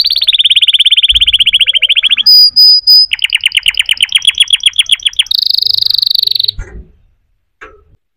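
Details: Canary song of varied tours: a fast rolling trill, a short high pure whistle, a rising pulsed rattle, then a high buzzing roll before the singing stops.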